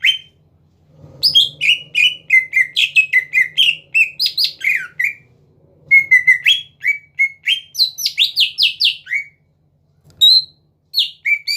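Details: Energetic, non-stop song of a greater green leafbird, used as a lure to goad rivals into singing: dense strings of bright, downslurred whistled notes and chips, with a short gap near the end and a steady low background hum.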